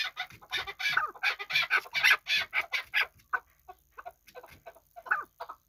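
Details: Chukar partridges kept as hunting birds in Kabodiyon, calling in a dense overlapping burst of harsh, clucking notes over the first three seconds, then thinning to scattered single notes.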